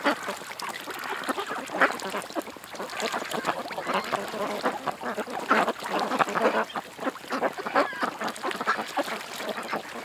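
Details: A group of ducks at a creek keeps up a busy, continuous chorus of raspy quacks and murmurs, loud and soft calls mixing unevenly throughout.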